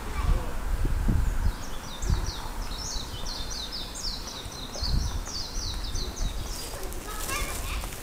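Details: A warbling white-eye (Zosterops japonicus) perched on a power line in Momura, Inagi, Japan, on 7 June 2015 sings a rapid, high-pitched run of twittering notes for about six seconds, over steady low wind rumble and a few soft thumps.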